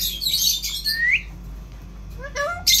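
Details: Indian ringneck parrot, reputed to talk amazingly, opening with a noisy hissing screech that turns into a rising whistle, then quiet, then a few stepped chirps and a final harsh burst.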